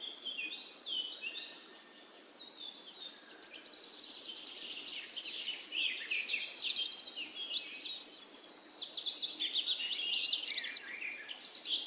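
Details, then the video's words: Singing nightingale in woodland, delivering a long varied sequence: whistled phrases, a quick repeated pulsing rattle, a sustained high buzzy passage, then fast slurred notes. "Magic singing of a nightingale"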